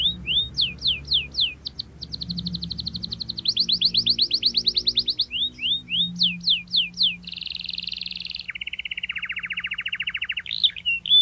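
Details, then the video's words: Canary's rolling ngerol song, a lure for young canaries learning to sing: alternating sweeping whistles and fast trills, then a long buzzy roll falling to a lower rattle, with faint low hum. "KENARI Gacor Cuit cuit NGEROL TAJAM Menekan Lawan, Pancingan KENARI PAUD belajar bunyi | Canary bird"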